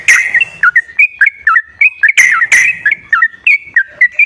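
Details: Sooty-headed bulbul song for prompting a silent bird: a steady series of short, clear whistled notes at about three per second, each bending down or up, with two louder harsh notes midway.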